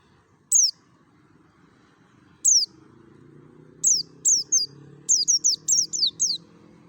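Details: Merapi mountain white-eye giving forest-style notes meant to draw kept white-eyes into singing: thin, piercing, falling whistles, single at first, then a rapid run of about six near the end, over low rumbling background noise.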